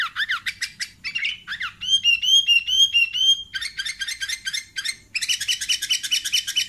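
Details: Sooty-headed bulbul calls used as a lure for catching bulbuls: a busy mix of sharp chirps, a series of clear bubbling whistled notes in the middle, and dense chattering bursts toward the end, loud and clean.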